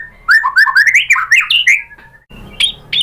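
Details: White-rumped shama (murai batu) pancingan song, played to draw other shamas into full song. A rapid run of varied, rich whistled notes climbs upward, then a short pause and a few sharp high notes.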